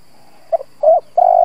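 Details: Lure spotted dove calling to provoke other doves: a short stuttered double note, a soft coo, then a long even hollow note that runs to the end.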